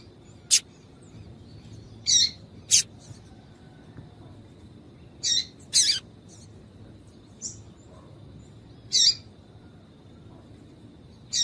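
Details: Irregular series of short, high, sharp chirps from a female double-collared seedeater, some in quick pairs, about nineteen per minute. The chirps are used to warm up males for song tournaments, with faint background hiss throughout.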